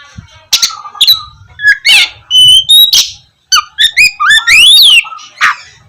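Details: Oriental magpie-robin singing hard, to lure sluggish birds into morning song: harsh bursts, level whistles, a series of quick repeated notes and a long sweeping rising whistle near the end.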